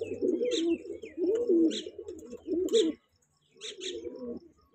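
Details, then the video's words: Young kanta kash breeder pigeons cooing in deep, burbling phrases, three bouts, a short silence, then one more softer coo. "pigeon sound"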